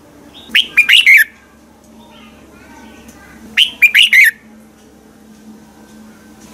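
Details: A red-whiskered bulbul sings in the morning for bird training: two phrases of four or five rapid, sharp whistled notes about three seconds apart, with a faint low hum beneath.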